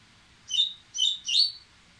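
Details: Dubois's seedeater, excited and warming up to sing: three buzzy, high chirped notes in quick succession, the last one rising and strongest, over a quiet background.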